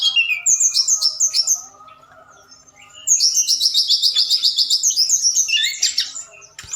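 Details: Forktail lure song at night, used to rouse other birds to reply. Rapid pulsed chirping phrases are separated by a near-silent pause, then a long run of fast, evenly repeated buzzy notes.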